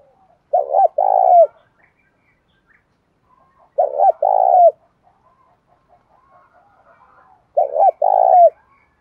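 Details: Spotted dove in the bổi cooing style, meant to set a captive dove cooing: three identical phrases about every three and a half seconds, each a short doubled low note and a longer trembling coo.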